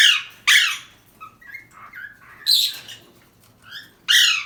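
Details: An Alexandrine parakeet, filmed trying to escape, gives loud, harsh screeches with softer chirps in between; the title also calls this a cockatiel mating call.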